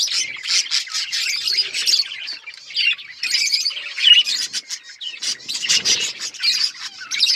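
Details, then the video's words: Budgies chattering in a steady stream of quick high tweets and rippling warbles, dipping into short pauses around three and five seconds before the busy chirping resumes. "Budgies relaxing sounds Birds chirping sounds"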